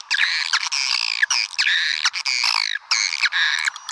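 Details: Call for luring swiftlets: harsh, nasal squawking chirps with strong layered overtones, each note dipping at its end, repeated in quick runs of about four per second.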